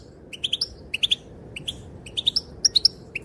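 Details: Calling female goldfinch, whose calls are said to make males dance; sparse sharp tweets in pairs and triplets, some rising upslurs, with short gaps and a quiet steady hum beneath.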